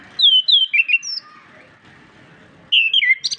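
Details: Orange-headed thrush song, used as a master recording to stimulate reluctant birds to sing: rich whistled phrases sliding downward, a burst of about five notes, a quiet gap, then another descending whistled phrase.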